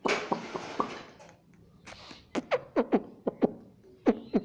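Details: A pet Indian ringneck parakeet repeatedly says "mommy" in short, clipped speech-like syllables, about one every half second, in a small room after a brief noisy opening.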